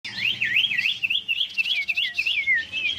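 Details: Huyt Co bird, fired up and singing competitively, pours out loud looping whistled phrases that rise and fall rapidly in quick succession.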